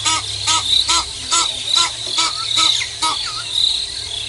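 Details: Egyptian geese in a double battle at Nkorho at 5:30 AM on Sep 24 2022 give a rapid series of rough, arched honks about twice a second beneath loud, steady insect buzzing.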